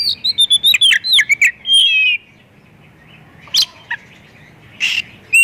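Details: Oriental magpie-robin mimicry song meant to set other magpie-robins singing: rapid chattering whistles and a drawn-out buzzy note open the phrase, followed by sparse harsh chips after a brief silence.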